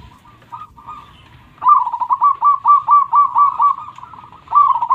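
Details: Indonesian local zebra dove, loud and in full voice, singing to encourage quiet birds to sing or to lure wild ones: soft rolling coos, then a fast bright string of about a dozen evenly spaced staccato notes.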